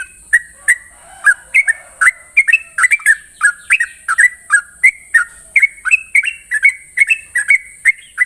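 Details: Sooty-headed bulbul singing a long ropel run in the morning, brisk liquid whistles rolling up and down in tight repeated phrases, with a continuous high whine in the background.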